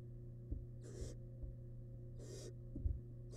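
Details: Barn owl nestling, wild, in a nest box while devouring a large rabbit remain. Two rough, hissing snore-like bursts about a second and a half apart, a third just beginning, over low hum and soft knocks.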